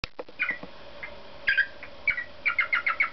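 A cockatiel sings bright, chirpy whistles, scattered at first and then quickening into a run of six short notes, over a faint steady household hum.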